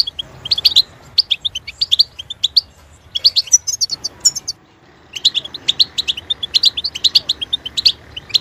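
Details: Song of a goldfinch meant to stimulate and train captive songbirds: tinkling, rapid twittered notes and high chirps, a brief silent gap after four seconds, then continuous bright chattering phrases.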